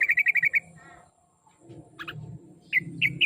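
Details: Sooty-headed bulbul song used as a lure to get a kept bird singing: a quick run of seven sharp whistled notes, a short buzzy burst, a pause, then clipped chirps and three more whistles over a low background rumble.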